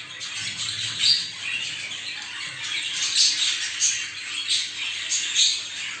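Budgerigars chatter in high, scratchy warbles and squawks, a flock sound meant to stir breeding.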